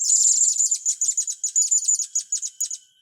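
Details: Shrill, rapid series of high staccato notes from a blue-crowned hanging parrot during training of young birds, about fourteen clipped chirps tumbling out in three seconds, slowly fading toward the end over a thin steady tone.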